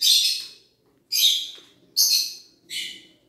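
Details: An Alexandrine parakeet, a desi talking pet parrot, gives four harsh, raspy screeches, each about half a second long and a little under a second apart, with faint background noise.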